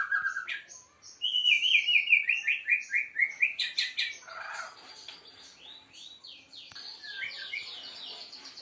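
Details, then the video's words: Seven-month-old White-rumped Shama of the Aceh type singing during a bowing display: a rich, varied run of clear whistles, slurred rising and falling notes and a quick stepped series, fading into softer, higher phrases. "Murai Aceh"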